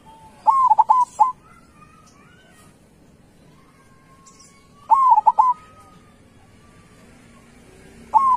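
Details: Local zebra dove (perkutut) with a big, loud voice in full song: a rising cooed note, two short stuttered coos and a long level final coo, with the phrase repeated about every four seconds. Faint chirps of other birds sound in the background.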